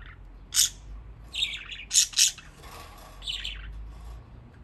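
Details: Pet budgies playing in water, chirping in a run of short, sharp, high chirps, some paired, then warbling notes, with quiet pauses between bursts.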